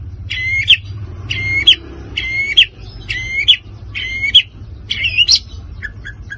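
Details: Provoking song of a white-rumped shama: the same clear whistled phrase with a sharp ending note repeated six times at near-even spacing, then a few short high chips, over a low background hum.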